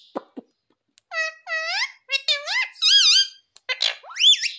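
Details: A talking pet parrot utters a string of speech-like syllables, harmonic and wavering up and down in pitch, preceded by a couple of soft clicks, in a quiet indoor setting.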